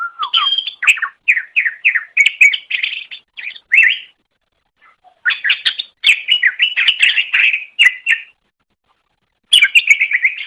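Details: Cucak ijo, a green leafbird, giving chattering song as training master audio: rapid runs of sharp, rising and falling whistled notes in dense bursts, broken by two short pauses.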